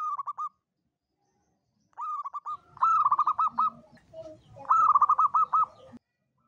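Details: Local zebra dove used as a trapping lure, in the long 'kuk 7' style; rolling, burbling coos repeated in three phrases, the later ones longer with trilled notes, with a faint low rumble in the background.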